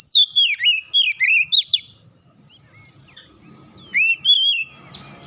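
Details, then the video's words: Kacer (oriental magpie-robin) in an aggressive challenge after being provoked, showing its song fill; quick descending whistled phrases, a brief lull with soft notes, then a few more slurred whistles. "sekali pancing Kacer lawan langsung gertak naik emosi bongkar isian"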